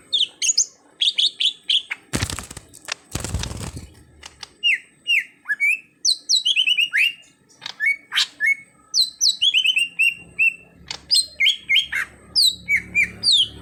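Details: Greater green leafbird (cucak hijau), an untrained bird being coaxed into steady song: a fast, varied stream of sweeping whistles and slurred chirps, falling and rising, broken early by two loud rough noise bursts.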